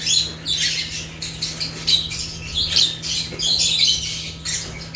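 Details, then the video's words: Several African lovebirds in busy chatter, shrill chirps and scratchy squawks tumbling over one another almost nonstop, with a constant low hum underneath. "Rare African Lovebirds (Agapornis) | Natural Chirping Sounds"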